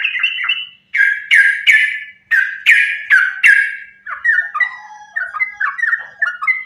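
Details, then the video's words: Yellow-vented bulbul singing in fighting style, nonstop, a lure to draw bulbuls into song: loud sharp downslurred strokes repeated about three per second, then softer quick warbling notes stepping up and down. "trucukan gacor tarung sambung ropel ini ampuh buat pancingan trucukan agar bunyi"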